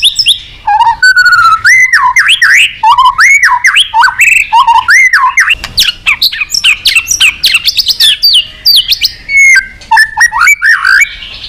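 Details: White-rumped shama singing a long, full song of rich phrases for stimulating other shamas: wavering looping whistles, buzzy chatters and sharp high notes in an unbroken torrent.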